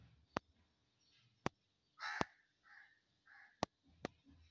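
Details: Crow in natural surroundings giving a few hoarse, harsh caws in close succession, separated by sharp clicking knocks, with a quiet background.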